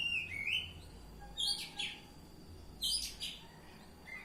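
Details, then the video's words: Oriental magpie-robin singing ngeplong style: a rising whistled phrase, then two loud bursts of shrill, sharp notes about a second and a half apart, closing with a softer whistle. "Kacer Ngeplong"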